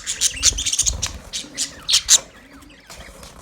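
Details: Male budgerigars give a quick cluster of shrill squawky chirps, then a few louder spaced chirps before falling quiet.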